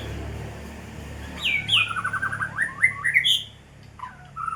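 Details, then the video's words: White-rumped shama, called a fighter, giving a quick run of clear whistled notes, with descending slurs and a fast series of short rising notes, over a steady low background hum. "murai batu fighter"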